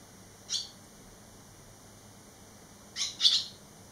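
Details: Eleven days after leaving the nest, three young barn swallows returned; one sharp high chirp, a long silence, then a quick cluster of two or three louder, buzzy chirps.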